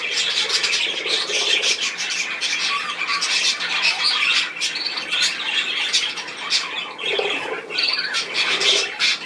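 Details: Indoor budgerigar flock calling continuously with sharp squawks, buzzy chirps and short whistled notes layered over one another.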